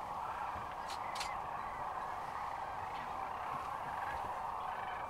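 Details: Sandhill cranes in great numbers at Rowe Sanctuary, Gibbon, Nebraska, spring 2014, with a continuous crowded chorus of rolling calls and a couple of sharper clicks near the start.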